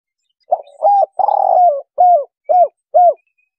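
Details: 'Kuk 3' call of a spotted dove, a recording suited to luring birds for trapping: a soft opening coo, a long burred falling note, then three evenly spaced, rounded 'kuk' notes ending the phrase in quiet surroundings.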